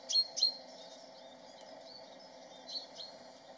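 Lesser Redpoll gives two quick, high, dry chirps close together, then two fainter notes a couple of seconds later, over a steady low rumble.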